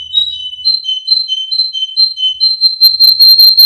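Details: Male Russian canary from a breeder in Miami, Florida, used as a training song: clear whistled notes alternating between two high pitches about twice a second, ending in a quicker, brighter rolling phrase.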